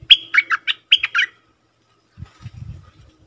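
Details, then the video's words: Bulbul lure call for attracting fierce wild birds: five rapid, bright, chattering notes with whistled tops in just over a second, then silence and some low thuds. "Suara pikat merbah lekir"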